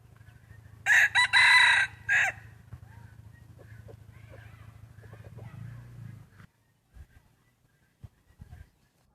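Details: Free-ranging roosters foraging on grass and weeds in Hmong farm fields and forest on a hillside; one loud, harmonic crow lasting just over a second, broken into segments, then a low rumble and scattered faint knocks.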